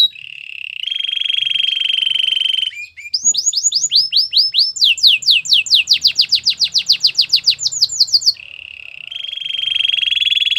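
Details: Song of a Belgian canary: a level buzzy roll opens, then a run of repeated high descending slurred notes speeding into a rapid sweeping series, before the steady buzzy roll returns.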